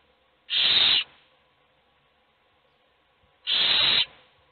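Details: A hungry owl chick begs in a nest box where only one of the brood is fed: two harsh hissing screeches of about half a second, separated by nearly three seconds of quiet.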